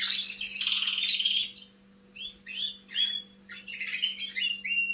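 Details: Juvenile canary beginning to sing: a loud buzzy trilled phrase lasting about a second and a half, a short pause, then scattered rising chirps and whistled notes in quick bursts; faint mains hum in the background.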